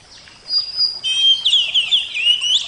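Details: Oriental magpie-robin, kept bird of the Javan type, singing: a long thin whistle, then a run of bright, varied whistled phrases and slurred notes that climb and fall.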